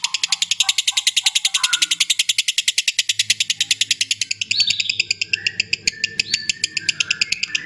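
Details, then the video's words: Lovebird long ngekek meant for mastering contest birds: a fast, harsh, high pulsed chatter for about four seconds, then looser sharp chirps and whistles with a low hum behind. "Masteran loveBird Juara"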